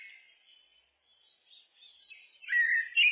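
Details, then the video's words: Faint, scratchy twittering from a common blackbird (Turdus merula) builds into a loud, fluty warbled phrase at the end. "Blackbird, Turdus merula, birds (looped)"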